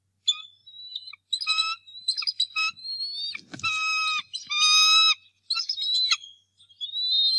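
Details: Defending the Decorah North Nest from an intruding eagle, 2 March 2018, the angry male bald eagle gives a near-continuous stream of high whistles, chatters and loud sustained shrieks, with a brief thump midway.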